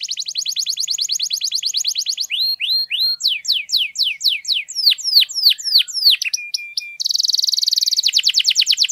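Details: Canary singing long 'gacor' song, meant to make silent canaries sing quickly: a fast trill, then varied looping descending whistles, a brief held tone, and a final rapid buzzing roll.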